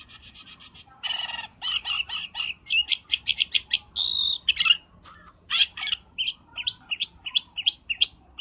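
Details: Lure call of the Black-winged starling for catching birds: rapid runs of rasping, buzzy notes, then a bright high whistle, ending in a series of short upslurred chips repeated about twice per second.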